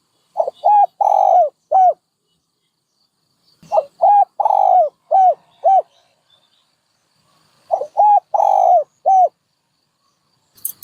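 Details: Cooing dove repeating a phrase three times, about every three and a half seconds: each phrase has five or six soft, arched coos with one longer, lower note near the middle. The background is quiet.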